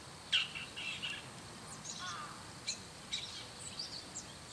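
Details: Bull-headed shrike in the morning on a high treetop, mixing one sharp shrill note with a run of small murmured, chattering notes at varied pitch, fairly quiet.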